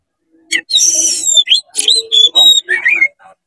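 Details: Fired-up oriental magpie-robin, tail open, singing to make other magpie-robins heated: a continuous stream of harsh buzzy notes, clear rising whistles and warbled chirps, with a faint low tone underneath.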